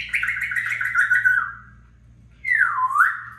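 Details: Pet African grey parrot, talking and calling out its own name indoors: a long wavering voiced phrase sliding slowly downward, a pause, then a shorter swooping dip-and-rise note, with a faint steady hum in the room.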